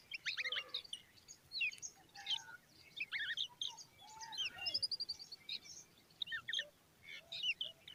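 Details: Common babbler chicks standing beside their mother, giving dense high chirps and squeaky notes in quick bursts, with some lower whistled slurs between them and a faint rural background.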